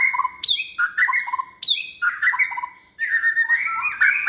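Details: Hand-reared caged white-rumped shama in its second season, trained for singing contests. Sharp high squeaks open each of several phrases of full, mellow whistles, delivered in quick bursts with brief silences.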